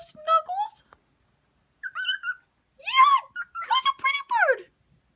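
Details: Indoor cockatiel singing to a newly introduced cage mate on their first day together after a vet visit: warbling, harmonic whistled phrases that bend up and down in short bursts, with brief pauses between them.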